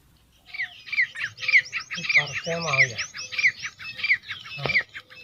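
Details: Partridge giving a steady, rhythmic series of bright, sharp repeated notes, about one and a half per second, over faint background rumble with a brief lower harmonic sound in the middle.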